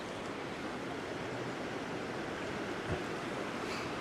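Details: Steady rushing of river water fills the air during fishing on the River Don, with no animal calls.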